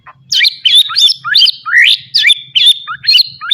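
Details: White-rumped shama repeating a looping slurred whistled phrase about every half second, loud and fast, from a full-fill training recording for young birds; faint low hum beneath.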